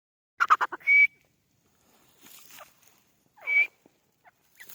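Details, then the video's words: White partridge (white teetar) calling: a quick burst of harsh rhythmic notes, then a clear high whistled note held briefly, a fainter rustle, and a second whistled note with soft scraping sounds. "white teetar ki awaz white partridge"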